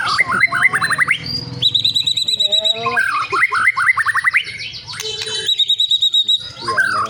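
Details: Caged white-rumped shama singing a loud, varied song of rich whistled phrases, quick rising and falling notes, trills and fast chattering runs that change pitch every second or so, used to agitate other shamas.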